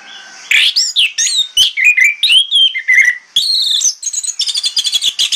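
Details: Orange-headed thrush in morning lure song to make other thrushes answer: a continuous flow of loud, varied whistles, some rising and some falling, ending in a fast run of bright repeated notes.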